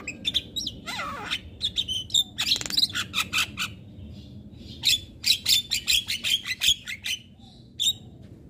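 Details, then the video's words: Jalak kebo, or Javan myna, an untrained bird, calling nonstop with sharp clipped whistles and harsh bursts, including a rapid series of about a dozen clicks in the second half. "Ocehan Jalak Kebo Super Gacor Tak Henti Bunyi"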